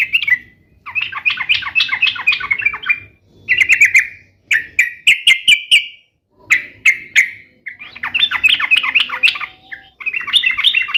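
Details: Sooty-headed bulbul in full song, used to get pet bulbuls answering: alternating chattering bursts and clear whistled phrases, some notes rising, with short gaps between phrases and a long final chattering run.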